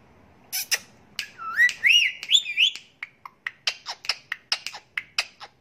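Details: Pet Indian ringneck parakeet, a talking parrot said to say the greeting 'Asalamalakum', gives wavy, slurred tonal phrases, then a rapid run of sharp, high chirps, about four per second, in a quiet room.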